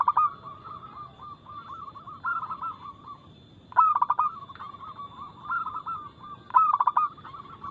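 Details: Local perkutut (zebra dove) singing a loud, rapid, clear cooing song played as a lure to make birds sing. Sharp bursts of clipped coos recur among softer rolling phrases, with a faint steady tone underneath.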